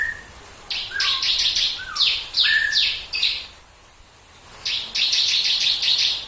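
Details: Bar-winged prinia in tembakan song meant to get other birds singing: rapid trains of high buzzy notes alternate with short falling whistles, a quiet gap of about a second, then another fast buzzy run.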